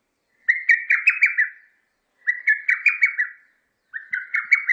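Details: Lesser cuckoo repeating its loud, hurried phrase of five or six sharp whistled notes.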